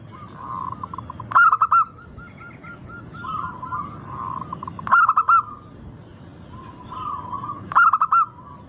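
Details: Lure recording of a local zebra dove, praised as sweet and crystal-toned, meant to start other birds singing. Three phrases of rapid clipped notes, each running into a warbling coo, with quieter cooing filling the gaps.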